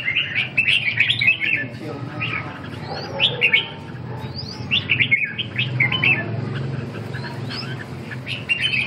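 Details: Red-whiskered bulbul giving bubbly chirping song phrases mixed with clear swooping whistled notes, the singing continuing in short bursts over steady low background noise.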